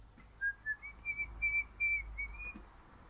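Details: Pet crimson rosella of an orange colour form, described as happy and singing: a string of clear, pure whistled notes, short at first, then longer and slightly rising before levelling off, in a quiet room.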